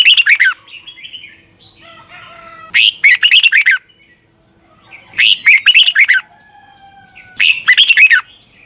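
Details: Red-whiskered bulbul morning song, a lively 'ché căng lửa' style with double-twisting voice, used as a lure for training birds: four loud bursts of about six quick warbled notes, roughly every two to three seconds, over a faint steady high whine.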